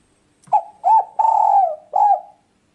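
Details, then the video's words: Spotted dove cooing, a lure recording for trapping and hunting birds: one four-part phrase of mellow hooked coos, the third note long and drawn out, then silence. "Mp3 burung tekukur ampuh"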